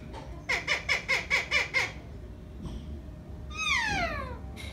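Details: A pet green parrot alone indoors gives seven quick repeated nasal notes. After a pause comes a long descending squawk with layered overtones, all against a steady hum.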